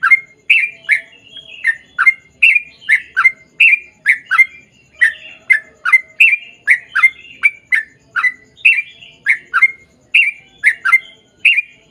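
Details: Sooty-headed bulbul in lively, long rapid song used as a lure to make other bulbuls reply: bubbly, slurred mid-pitched notes, each dipping and rising, repeated steadily about twice a second throughout with brief pauses.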